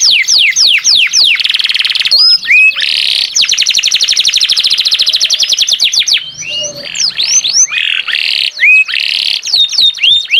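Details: Energetic canary song with rolling trills of fast down-slurred notes, buzzy passages and sharp rising whistles, phrases changing every few seconds.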